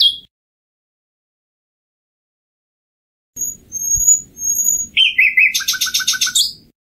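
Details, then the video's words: Common nightingale after a long pause: thin, drawn-out high whistles, a rising slur, then a fast buzzy rattle over low repeated notes. "Canto del ruiseñor común"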